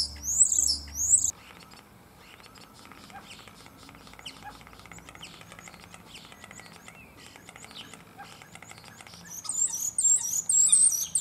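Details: Two male common starlings singing in competition in a cherry tree in Germany, mimicking other animals: loud, high squealing bursts open and close the passage, with faint scattered clicks and chatter between them.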